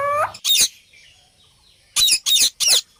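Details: Rose-ringed parakeet, described as an Indian parrot that talks and makes sounds: a brief rising tonal note, then one harsh, shrill screech, a pause, and three rapid harsh screeches in quick succession.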